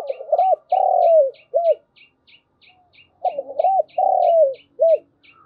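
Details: Morning lure call of a decoy spotted dove used to draw wild doves: a low three-part coo, stuttered start, drawn-out falling middle, brief end note, given twice, with quick high chirps of another small bird throughout.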